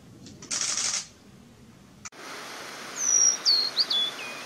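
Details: Blue-and-white flycatcher singing beautifully along a nearby mountain stream on 22 May 2018. A broad rustling burst and a sharp click come first, then clear, high whistled notes sliding downward in a brief phrase.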